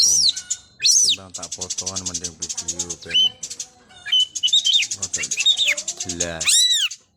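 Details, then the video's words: Energetic Long-tailed shrike song full of varied fill-in phrases: arched, slurred high whistles mixed with rapid harsh, buzzy chattering notes that pour out almost without pause for several seconds. "CENDET GACOR FULL ISIAN MEWAH SUPER"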